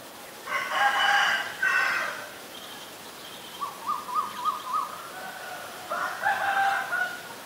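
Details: White-vented Myna (Acridotheres grandis) in Ubon Ratchathani, Thailand, 9 March 2022, gives two harsh, raspy bursts, then a quick run of five short rising whistled notes and a final mix of chatter and whistles.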